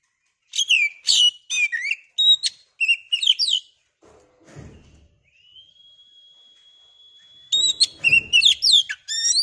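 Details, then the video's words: Oriental magpie-robin, known as kacer, kept caged and sung to provoke a rival; bright, varied whistled phrases, a gap with a long steady whistled tone, then rapid song again. "pancingan burung Kacer biar emosi mau bunyi"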